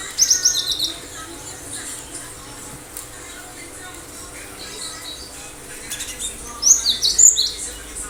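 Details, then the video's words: Cinereous tit singing: a quick burst of high chips at the start and a louder cluster of sharp, high, down-slurred notes later, with a long quiet gap and faint background noise between. "Gelatik batu gacor"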